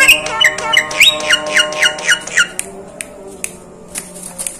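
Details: Jalak kebo, the Asian pied starling, imitating other birds' voices: a fast run of about eight sharp rising chirps, then scattered clicks and soft ticks.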